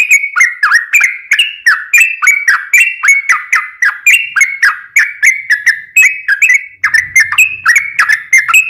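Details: Vigorous yellow-vented bulbul song played as a lure for other birds: steady, rapid series of warbled, whistled chirps, each sliding down then up, continuing unbroken; a faint low hum enters near the end.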